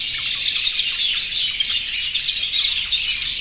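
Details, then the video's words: Many canaries of yellow, red and white varieties, in breeding condition and kept in an aviary, sing to call the hens; steady thick twittering with short rising and falling notes woven through. "+100 CANARIOS CANTANDO en mi aviario"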